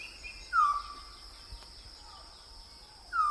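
Trumpet manucode giving two loud, clear, slightly falling whistled notes about two and a half seconds apart, with a fainter note between them over a steady insect hum.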